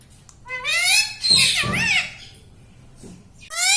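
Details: Pet talking parrot indoors in a small room, said to speak words such as "mummy" and "mitthu": two high, nasal, strongly harmonic voiced phrases with sliding pitch, then quiet, then a fresh phrase starting at the end.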